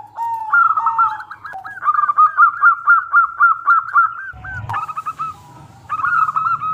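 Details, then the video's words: Local zebra dove with a clear, ringing voice, played as a decoy so other doves reply. It opens with a low coo, then a long, even run of hooked staccato notes, a knock, and a final short phrase. "Perkutut Lokal Gacor Suara Super Kristal - Pancingan"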